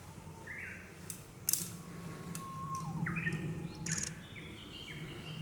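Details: Japanese paradise flycatcher, male incubating on the nest in green forest: short buzzy upswept phrases separated by a long level whistle, repeated several times, with sharp clicks and a low hum beneath.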